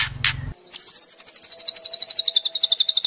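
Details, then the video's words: White-rumped shama kretekan song: a rapid, even, high buzzy rattle of about eight notes per second, sustained for over two seconds after a brief noise burst and low hum. "Pancingan murai trotol agar ngeplong dan murai batu pastol bunyi gacor | Kretekan murai batu 26"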